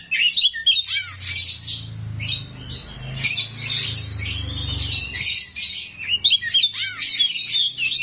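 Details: Oriental magpie-robin of the 'rawit' kind unleashing coarse song fills to draw answers from other magpie-robins: bursts of sharp chirps and scratchy warbles, a thin held whistle running through, low hum between one and five seconds.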